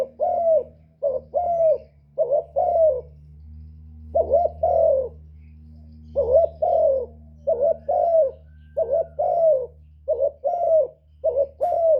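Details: Spotted dove cooing used to lure wild doves: roughly ten two-part phrases with uneven gaps, a clipped coo leading into a longer rolling one, against a constant low humming background.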